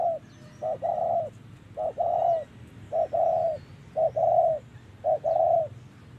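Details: Loud, close spotted dove in 'thổ' voice style during trapping, delivering about six quick phrases, each a short coo then a longer mellow coo, roughly once per second.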